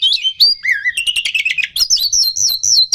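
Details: Oriental magpie-robin (kacer) lure song for stirring rival birds to aggression: rich warbled whistles with a low sliding note, then dense chattering and high repeated whistled notes.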